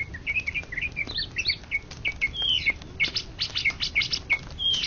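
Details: Greater green leafbird, first-ranked contest bird in Indonesia for 2013–2014, gives series of short downslurred whistles and sharp chirps, later some longer level whistles, over a steady low rumble.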